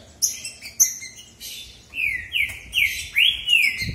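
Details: ['Male green-winged saltators in a song duel, a few sharp clicks followed by long, smooth, arching whistled notes, each slurred and slightly rising then falling, with low room noise.']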